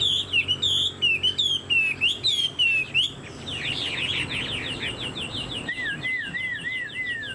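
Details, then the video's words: Caged Chinese hwamei with a fanned tail, singing loud repeated whistled phrases that rise and fall, then a rapid jumble of notes and a series of looping whistles dropping in pitch. "Họa mi đuôi xòe, dáng dấp cao cầu | Hoạt Họa Mi"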